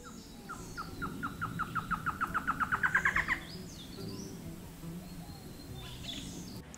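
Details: A Black-headed Trogon in Costa Rica, a bird of forest edges and gardens often heard before it is seen, gives a run of about seventeen dry chuck notes that speed up and climb in pitch over three seconds, over a low background rumble.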